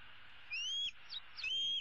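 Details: Wild female bald eaglet in a tree, leg hanging over the side, calling for her parents to deliver food in April 2016: two long high whistled notes, each rising then leveling, separated by brief squeaky chips.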